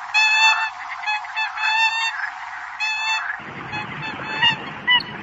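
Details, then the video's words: Several loud, trumpeting nasal honks from a Eurasian coot calling its flock, followed by softer scattered calls over rising background noise. "Tiếng sâm cầm gọi đàn"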